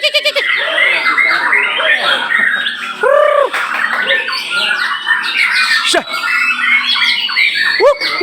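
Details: White-rumped shama (murai batu) singing at a song contest in Nagan Raya, Aceh: dense overlapping whistles, chattering notes and harsh squawks from several birds, with short upward-arched whistled phrases and people talking in the background.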